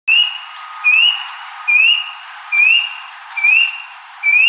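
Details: Rusty-breasted cuckoo at Jurong Eco Garden on a Saturday evening, 2 June, flying around trees and calling for several minutes: a steady series of clear, upslurred whistles, about one per second, over a thin high insect drone.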